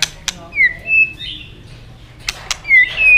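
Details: White-rumped shama song meant to prompt other shamas to sing: sparse, clear whistled notes, one slurring down and then level, repeated after a pause, with sharp clicking sounds between phrases.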